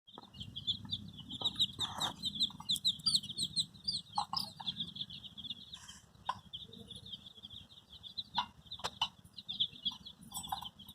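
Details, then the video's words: Dyed baby chicks in red, yellow, green, pink, purple, orange and white call for their mother: a dense stream of shrill, high peeps overlapping continuously, with a low rumbling background and occasional knocks. "Cute baby chicks chirping sounds|Sounds of Hen kids|Baby chick looking for mother's love"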